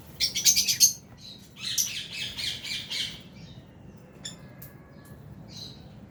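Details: Harsh, high chirps from a lovebird flock of albino and Fisher's birds kept in an aviary, a fast rapid-fire series at the start and a second run after a second, then only scattered faint notes.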